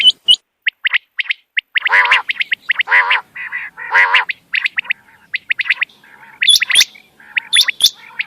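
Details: Quail calls played to lure birds at night for hunting: a busy series of short clipped chirps, broken mid-way by loud raspy harmonic calls, then squeaky rising notes near the end.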